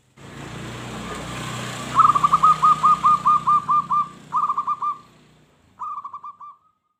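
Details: Zebra dove in lively song, meant to provoke wild doves into answering. A steady hum and rumble run underneath. About ten rapid, evenly spaced cooing notes are followed by two shorter runs.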